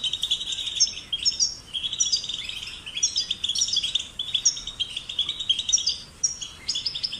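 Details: European goldfinch chicks, recorded for stimulating singing in caged birds: continuous high twittering with bright liquid notes and buzzy trills, phrases running almost without pause over seven seconds, no other sounds.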